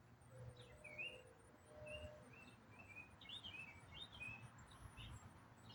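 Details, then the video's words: Songbird singing one complex riff over and over in autumn: soft slurred whistles and warbles in a rambling sequence, with faint low tones early on and steady background hiss. "What bird sings one complex riff for 8 minutes non-stop?"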